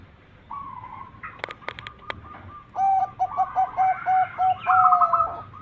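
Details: Zebra dove lure song from a local bird meant to set other zebra doves calling. A few sharp clicks come first, then a run of short repeated hollow notes ending in a bubbling trilled coo.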